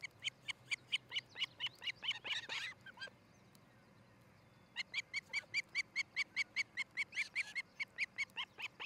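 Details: At a new nest in Charlo, Montana, ospreys recorded by a nest camera on a July 2018 morning give loud, evenly spaced high chirps, more than two per second, in two long bursts separated by a short silence.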